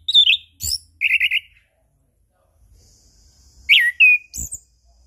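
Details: Chestnut-capped thrush song, used as a lure to set silent birds singing, morning, noon and evening: clear whistled slurs, a quick run of buzzy trilled notes, a pause, then a sharp rising-falling whistle and high chips.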